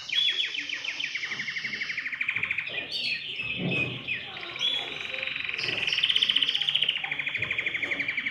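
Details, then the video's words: Canary singing vigorously to set other birds singing: rolling trills at the start, a short broken passage with a faint low thud, then a bright, rapid, sustained trill. "تغريد كناري يحفّز الطيور على التغريد"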